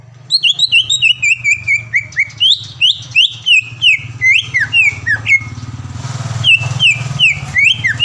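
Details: Caged greater green leafbird, a contest-winning singer from Palembang, delivering a dense song of sharp descending whistled notes in quick succession, with a low steady hum underneath.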